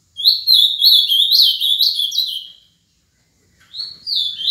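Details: A 7-year-old ultramarine grosbeak, a prolific singer, sings a rich, warbled phrase of clear up-and-down whistles lasting over two seconds, pauses briefly, then starts again.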